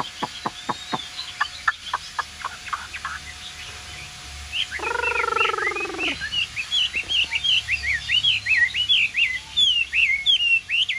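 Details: Caged Chinese hwamei singing on its own, unpaired, freshly bathed. Crisp clicks open, a brief low buzzy sound intrudes, then a long, lively stream of varied, high whistled notes follows in rapid, changing phrases.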